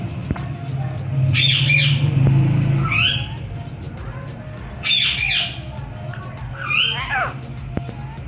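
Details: Pakistani pet ringneck parakeet mimicking speech in Urdu/Hindi: four separated bursts of raspy, slurred squawk-like syllables, with a person's voice nearby and a constant low electrical hum.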